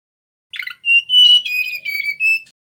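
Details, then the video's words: Clear whistled song from a male mangrove whistler: a short buzzy intro, then long pure notes that waver slightly in pitch, sag lower midway, and lift for a final whistle. "Suara Asli Burung Tledekan Bakau"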